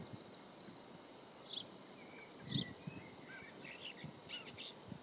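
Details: A woodchat shrike sings near Olhão, southern Portugal, in April 2021, giving a varied string of high chattering notes, short rising whistles and scratchy trills over faint low rumbling and occasional thumps.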